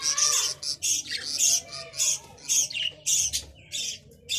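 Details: Budgerigar giving a steady run of sharp, high, squawky chirps, about two per second, each short and harsh.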